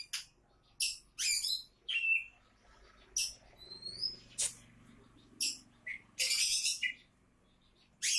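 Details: Bird heard as an Oriental magpie-robin labelled a champion candidate: short sharp high whistles and harsh scratchy bursts, with a faint murmur in the background.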